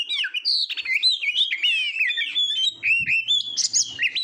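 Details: Continuous Oriental magpie-robin song from a tutor recording for contest birds, with fluid, connected whistled warbling, fast trills and high buzzy notes, plus a faint low hum partway through.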